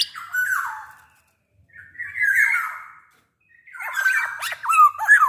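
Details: Actively singing black-naped oriole, big-bodied, its song meant to coax other orioles into singing: three phrases of raspy, slurred notes, the last breaking into rapid twisting whistles.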